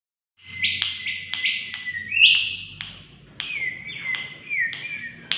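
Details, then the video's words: Mangrove whistler song used as a lure: clear whistled notes, some rising and some flat, mixed with sharp clicks about every half second, ending in a loud upward-sweeping phrase. "pancingan burung kancilan bakau Gacor"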